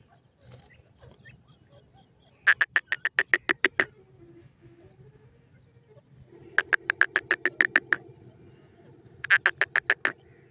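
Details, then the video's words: Francolin chicks give three bursts of rapid, rattling clicks, each burst lasting about a second, separated by quieter stretches with a low steady hum. "pheasant baby awaaz, teetar ki boli"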